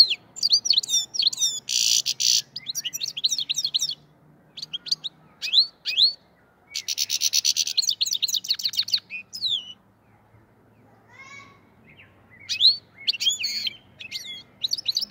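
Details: Black-headed goldfinch, Fergana Valley singing style from Andijan and Kuva. Long stretches of bright, tinkling twitter mixed with buzzy rasping bursts and rapid chirp series, broken by brief silences and a few thin whistled notes.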